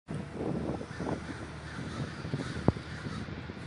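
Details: Crows at a large communal gathering in Davis, California: a dense wash of overlapping harsh caws from many birds, with one sharp loud call near the end over a steady low rumble.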